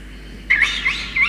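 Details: A peregrine falcon chick gives a brief harsh, rasping screech that wavers and repeats over about a second after a quiet start with faint hiss; Orange, NSW, Australia, 5 November 2021, as soaked parents deliver a soaked starling.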